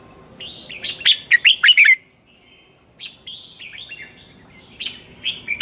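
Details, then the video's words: Red-whiskered bulbul in morning song, a lure recording for training birds to sing: a rapid string of bright, sliding whistles, a second of silence, soft fluting phrases, then a few more sharp notes, a thin steady tone throughout. "luyện chào mào hót sáng, Hót hay KÍCH BỔI NHANH CĂNG LỬA, Cách luyện chào mào hót căng lửa"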